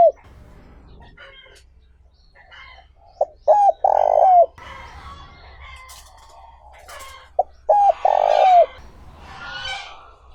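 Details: Cooing of a spotted dove used as a lure for wild doves, two loud phrases of clipped introductory notes and a drawn-out coo with a downward tail, amid soft chattering of other birds.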